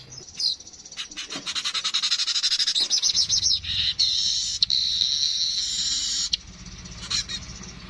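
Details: Streaked weaver in a natural recording: rapid regular ticking that runs into continuous sizzling buzzy chatter, then fades to a few scattered chirps near the end.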